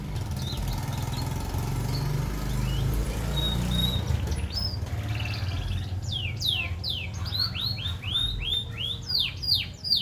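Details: Green canary song: after a quiet start with scattered thin notes, a rapid series of bright, sweeping downward whistles pours out in the second half, over steady low background hum.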